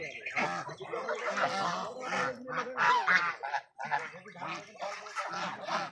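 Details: Raj ducks on a farm give loud, harsh honks in quick irregular runs, several birds overlapping, with a brief lull near the middle before the honking resumes.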